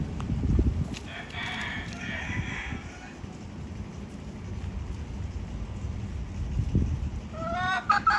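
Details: A hen calling for a mate gives a short burst of nasal, drawn-out calls, then a few rising squawks near the end, over a steady low rumble.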